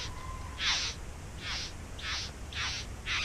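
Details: Back-yard bowerbirds at their nest: five hoarse, hissing bursts that slide downward, repeated at a steady pace of about one every half second after a brief faint whistle-like tone at the start.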